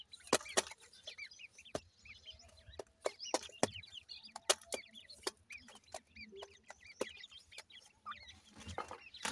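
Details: Partridge chicks at play give dense, high, wavering peeps in quick clusters, punctuated by many sharp percussive clicks and taps.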